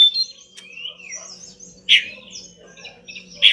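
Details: Pied bush chat singing for a training recording: a sweeping whistled note that rises and falls, then quiet high twitters broken by two loud sharp chips about one and a half seconds apart.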